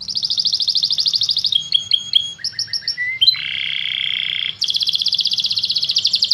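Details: Canary offered as a champion-class master song for training other birds: fast high trills, then scattered chips and short whistled slurs, a steady buzzy mid-pitch roll lasting over a second, and a final rapid high trill.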